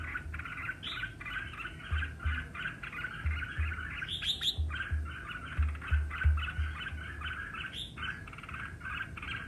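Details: Red-whiskered bulbul singing in a competitive bout: rapid, regular chirped notes, about three per second, forming a rolling warble with a couple of higher squeaky accents, and soft low thumps underneath.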